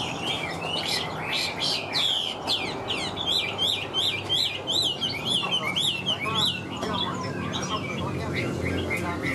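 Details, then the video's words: Chinese hwamei kept in a cage, singing high: a rich stream of quick, varied whistles and slurred notes, tumbling rapidly one after another over faint background noise. "Họa mi bóng bộ to đẹp hót cao"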